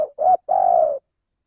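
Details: Spotted dove, a male, in a recording used to lure birds for trapping: the tail of one coo, then a rising mid coo and a long, steady, throbbing final note, low and mellow, with no other sound.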